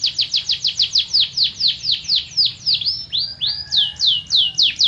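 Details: Canary performing a long, rhythmic tour. Crisp falling notes repeat about four times a second, then slow into drawn-out, rising and falling whistles.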